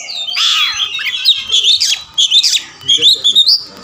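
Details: Oriental magpie-robin singing while responding and fighting with tail opened: loud slurred whistles and harsh squawky phrases, followed by short clipped whistled notes in quick groups.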